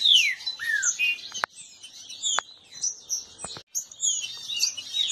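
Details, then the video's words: Caged green-winged saltators disputing: a few loud falling whistles open the passage, then softer overlapping notes continue, broken by several sharp clicks or knocks. "Esquente seu trinca ferro disputa e baderna"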